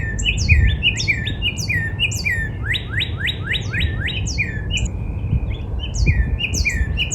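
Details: Northern cardinal in a spring backyard, singing a dense series of slurred whistles, first falling, then a quick volley of steep upsweeps, mixed with high twittering from other birds and low background rumble.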